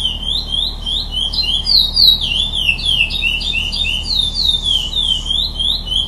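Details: Bird singing a rapid run of high chirped notes, each sweeping up and down, delivered in a continuous lively stream over a faint low hum.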